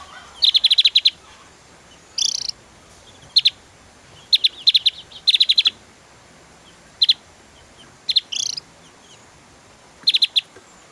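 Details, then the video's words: Javan white-eye singing rapid bursts of high, sharp ticks in clusters, interrupted twice by a short buzzy, harsher note. "SUARA TEMBAKAN SADIS BURUNG OPIOR JAWA GACOR"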